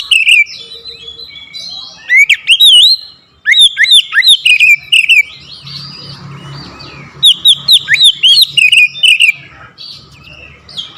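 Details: Oriental magpie-robin provoked by a rival into an aggressive song: rich, varied whistles, sliding upward and downward notes, and sharp chattering runs delivered in energetic bursts, with a faint low hum beneath.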